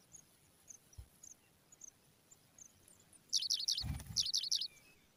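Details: Pipit nestlings being fed regularly by a parent give a burst of high, thin, rapid chirps, seven or eight in quick succession, over faint background twittering and a brief low thump.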